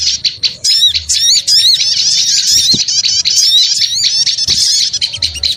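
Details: Flock of small birds chattering as a lure, an unbroken jumble of high squeaks, wavering whistles and quick trills from many callers at once.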